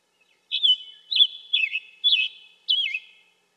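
Scarlet tanager giving five short, hoarse, slurred whistled phrases, about one every half second, each dipping and rising, against a quiet background.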